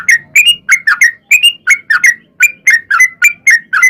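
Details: Sooty-headed bulbul song used as a lure to set other bulbuls singing, a steady string of short, bubbly, down-slurred chirps, several each second, clean and loud.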